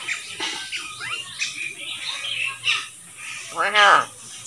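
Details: Talking common hill myna speaking hoarse, human-like phrases ("open the door") broken by sharp whistles, ending in a loud nasal, wavering word; a person's voice is heard nearby.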